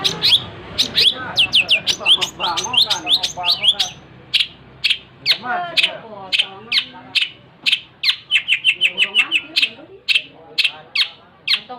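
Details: Extended 'gacor' singing by a long-tailed shrike (cendet): varied, restless stream of harsh rasps, squeaky whistles and fast chip series, mixing rough and clear notes for about twelve seconds.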